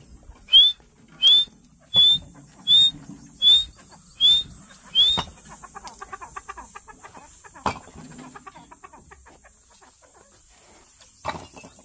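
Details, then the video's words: Partridge giving seven short, sharp rising whistles at steady intervals of about three-quarters of a second, followed by softer background chatter and faint clicks. "Partridge sound"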